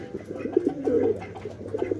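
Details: Pet racer pigeons at a shop, one a racer hen held in the hand, coo with soft, low, throaty rolling notes in short bursts; a pair with a new chick may be preparing to lay eggs.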